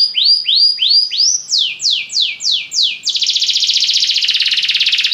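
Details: Belgian canary repeating rising-then-falling whistled sweeps, then a run of sharply descending swoops about three per second, ending in a dense, fast, high trill.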